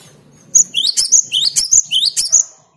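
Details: Clear, persistent song of a cinereous tit (gelatik batu or wingko), aimed at agitating rival birds. Four quick cycles of a bright rising whistle, each ending in a high piercing chip, over faint low background noise.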